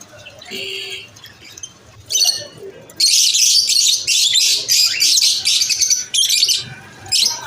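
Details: Lovebirds at lunch time, a few soft chirps opening into a loud, sustained stretch of rapid, scratchy high chattering with short gaps.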